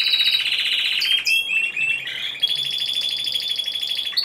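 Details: Timbrado Español song canary, a single bird entered in the individual C2 class at a second voice-canary contest and show, 26 November 2015. A dense metallic trill holds steady, then breaks into shorter, lower rolling phrases and a sustained buzzing roll.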